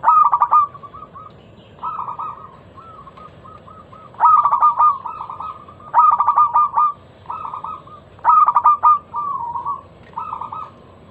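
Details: Local zebra dove song used as a lure to set other doves singing, a loud, clear voice: low cooing phrases, each a burst of rapid pulsed notes then softer trailing coos, repeated about every two seconds over faint background hiss.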